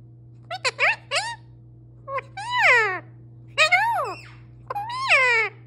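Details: Male pet parrot talking without pause: clear speech-like words with arching, rising-then-falling pitch, several clipped syllables and longer drawn-out phrases, delivered in four groups over a steady low hum.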